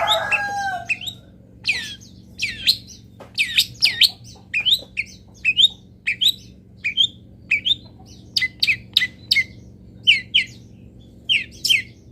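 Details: Local long-tailed shrike filler song for training: a long varied sequence of sharp chirps and short slurred whistles, roughly two per second, opening with a lower rasping phrase, over a constant faint hum.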